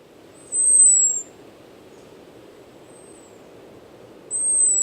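An American Robin gives thin, very high, slightly falling whistles, its high-z alarm call.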